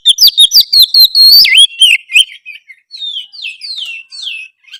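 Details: Oriental magpie-robin (kacer) singing loudly and continuously, played to get a quiet, off-form magpie-robin to respond; rapid varied whistles, trills and sharp chirps, with sweeping notes sliding down, then slower falling whistled phrases.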